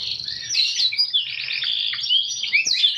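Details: Canary singing with a unique cengkok style: a dense, continuous warbling trill with sliding, swooping whistles and short upward sweeps woven through it, loud and unbroken.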